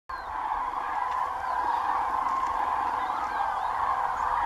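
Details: Large flock of common cranes flying over the marshes of Doñana National Park, Spain, heading to roost for the night; a dense, continuous chorus of overlapping trumpeting calls at mid pitch, steady throughout.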